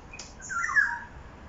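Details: Black-naped oriole in Jurong East, Singapore, about 1 pm on 13 October 2021, giving a fuller, slightly harsh musical note that swells and fades within half a second, with a thin high accent, over quiet background.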